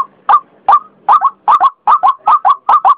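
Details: Ruak-ruak, or white-breasted waterhen, used as a lure call: a few spaced harsh notes, then doubled kru-ak croaks about every 0.4 seconds.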